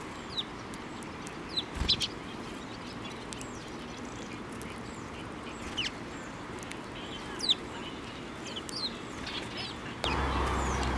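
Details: Sparrows coming to a hand to be fed at a Tenmangu shrine, 23 June 2024. Sparse, brief, bright chirps with downward flicks, a few thumps, then a sudden rise of broadband noise in the last second.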